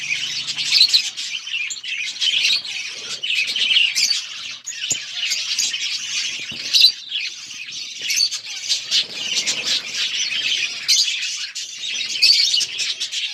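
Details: Budgies feeding and chirping together, a loud, continuous high twittering of fast buzzy chirps and warbles, dense and unbroken, with occasional sharper squeaks standing out above the flock.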